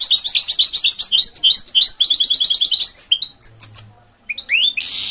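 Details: Goldfinch mule song with three seconds of rapid trilled, chattering phrases, a short pause, then a few falling whistled slurs and a closing buzzy note.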